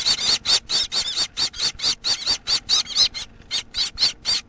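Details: Baby Gouldian finch making loud, rapid raspy squeals with a wavering whistled tone inside, about two per second in a steady run with one short pause.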